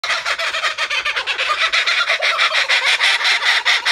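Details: Laughing kookaburras at Birdworld in a loud, harsh cackling chorus of rapid, rolling notes, several bursts each second, rising and falling without pause.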